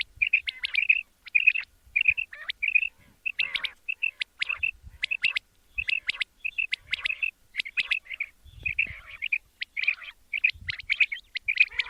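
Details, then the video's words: Quail, described as male, its call played for a morning hunt: short bright chirps grouped in twos and threes, repeated steadily about every half second to a second. A few faint low thumps are heard. "batair ka kartab daiken | latest chukion wali awaz subha k liye"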